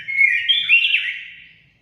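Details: Orange-headed thrush song played to stimulate pet birds to sing: a single clear whistled phrase with sliding, warbling notes, fading out after about a second and a half.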